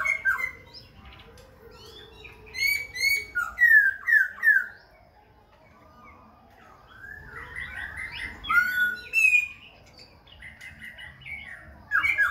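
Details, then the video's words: Khe Sanh laughingthrush in continuous song with dancing and constant voice changes: bursts of rich whistled and slurred notes, rapid and varied, grouped in two long phrases separated by a brief lull. "Khướu Khe Sanh hót múa đảo giọng liên tục"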